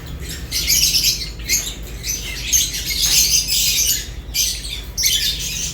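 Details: Several lovebirds eating, chattering in loud bursts of high, harsh chirps separated by brief pauses, with a low hum in the background.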